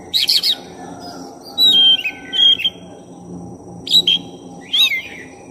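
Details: Oriental magpie-robin of the black-breasted form singing loudly as a lure for another bird: a harsh burst, then long clear whistled notes, followed by further scratchy-whistled phrases, over a low steady hum.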